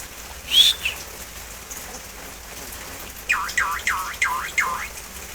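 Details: Common myna, a talking bird that mimics speech, gives one thin rising whistle, then after a pause a run of five quick swooping whistled notes, each dipping and rising, at a steady pace.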